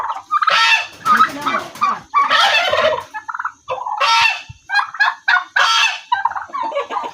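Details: Turkeys at a village give harsh, rattling, gobble-like bursts, about six loud outbursts in seven seconds, each a rapid throaty warble with brief pauses between.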